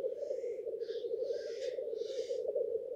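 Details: Male black grouse gathered at a lek at dawn in a courtship display: a steady low bubbling chorus runs throughout, with sharp hissing, sneeze-like bursts breaking in several times over three seconds.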